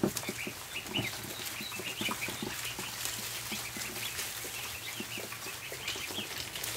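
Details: Many ducklings on a barn floor at feeding time, a dense, continuous chorus of short high peeps and chirps overlapping throughout, with scattered clicks and rustling underneath and a steady low hum.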